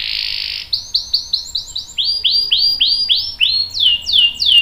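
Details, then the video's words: Canary in full song, its long roll used to coax other canaries into singing and as tutor song. A dense buzzy trill gives way to a rhythmic series of clear downslurred whistled notes, roughly three per second, ending in louder sweeps. "KENARI GACOR NGEROL panjang bagus untuk PANCINGAN dan MASTERAN biar ikut BUNYI | CANARY SINGING"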